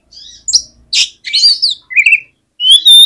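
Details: Oriental magpie-robin song meant to make a lazy bird answer and respond: scratchy notes, warbled whistles and a final loud pure rising whistle.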